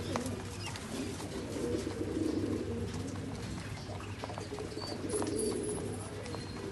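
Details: Satinette pigeons, a small-beaked fancy domestic pigeon breed, at a fancy pigeon farm in India give low, rolling coos that swell and fade, with a steady low hum and faint clicks in the background.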